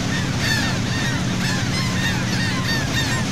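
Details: Many seagulls calling around a sea boat off Saint Martin, Cox's Bazar, Bangladesh; shrill, slurred cries overlap constantly above a continuous humming motor.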